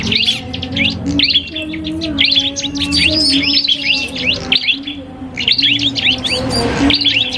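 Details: Duel between a cipoh kristal iora and a prinia, used to train cage birds: busy high twittering and whistled notes in bursts, briefly pausing near the fifth second, above a soft low hum.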